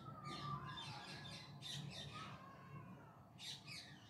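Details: In the evening in Bangalore city, several parrots give harsh, screechy squawks in bursts, with a few clearer whistled notes, over a steady low hum of city noise.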